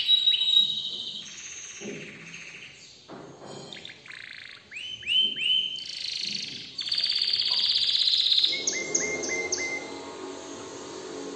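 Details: Canary song in patches, quieter and mixed: short buzzy bursts, a run of upward-hooked notes near the middle, then a sustained dense trill and a row of small repeated chirps.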